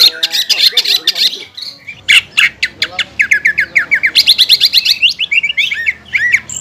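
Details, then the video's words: Competition greater green leafbird in captivity giving harsh squawking bursts followed by a fast chattering run of sharp notes and twisting whistles, the rough 'shooting' style and lavish mimicry of a fighter bird, recorded close and loud. "MASTERAN CUCAK IJO KELAS JUARA ISIAN MEWAH DAN TEMBAKAN KASAR SANG FIGHTER"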